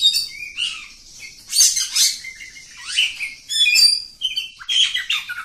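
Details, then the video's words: Kacer kampung, the oriental magpie-robin, delivering unbroken 'ngacor' song: bright whistled slurs, rising and falling notes and rasping chattery bursts packed closely together, with a few brief pauses. "Kacer Kampung. Super Ngacor panjang"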